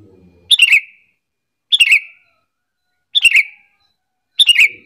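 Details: Sooty-headed bulbul calling to lure other bulbuls into replying: four brisk, harsh chirped bursts roughly every 1.3 seconds, each ending in a short whistle, with a low murmur just before the first.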